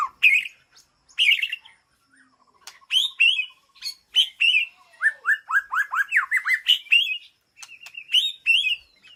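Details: Aviary-kept white-rumped shama calling to its flock: bursts of bright whistled notes, a quiet buzzy trill, then a run of quick descending slurs followed by chattering, varied whistles in a clean, quiet setting.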